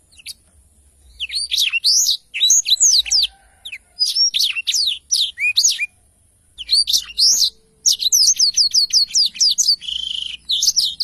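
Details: Song of a black-throated canary in lively form, used to tutor other songbirds: repeated bursts of high, rapid, buzzy twitters and sweeping whistles separated by short pauses.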